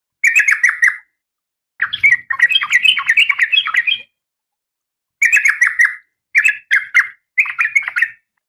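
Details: Female oriental magpie-robin in breeding condition calling the male, giving chattering trills and a longer, jumbled run of harsh scratchy notes, then three shorter bursts, with a faint low thump near the start.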